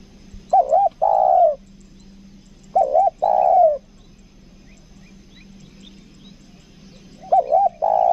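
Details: A caged 'kuk dua' spotted dove, used as a lure bird in Lombok, repeats its phrase three times at intervals of about three seconds: two short undulating notes, then a long descending coo.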